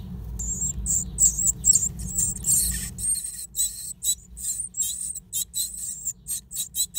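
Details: High, shrill, wavering calls from a Great tit nesting in an old stove, at first overlapping a low rumble that stops partway through, then continuing as clearer repeated squeaks.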